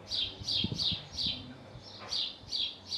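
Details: A male house sparrow calling from the roof next to his nest in Hull, UK, giving rapid, bright chirps about every quarter second, with a short gap before the series resumes; faint knocks in the background.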